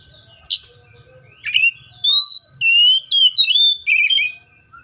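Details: Seychelles magpie-robin singing: a sharp high note, then a string of about six clear whistled phrases, some level, some gently falling, spaced with short pauses.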